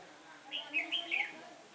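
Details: Red-whiskered bulbul decoy singing in competition to lure wild birds to a trap, recorded on a windy October day: four quick bright warbled notes, the last sliding downward, over faint low background sound.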